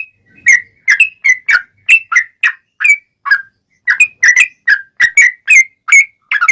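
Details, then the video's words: Sooty-headed bulbul pouring out energetic extended song meant to coax other birds into singing: a steady stream of short liquid whistles, rising and falling, roughly three notes each second with brief gaps, in an otherwise quiet setting. "SUARA trucukan gacor ROPEL PANJANG"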